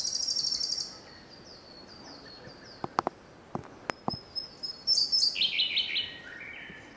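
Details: Siberian blue robin singing in Togakushi Forest Park, Japan, on 24 May: high thin introductory ticking notes, then a quick descending series of bright trilled phrases, with a few sharp clicks in between.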